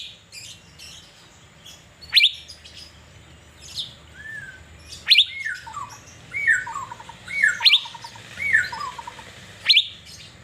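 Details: While sunbathing in Banjarmasin, Indonesia, an Asian fairy-bluebird mixes sharp, high falling notes with lower, mellow whistles that slide downward, forming a varied, lively run of phrases over a steady low hum.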